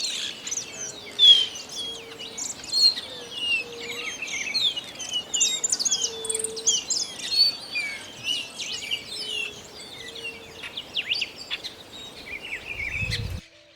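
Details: Grayish baywing, an icterid of rural areas, woods and parks in south-central South America: a continuous jumble of squeaky, chattering and whistled notes from several birds, some louder bursts near the start, a low droning tone underneath and a thump at the end.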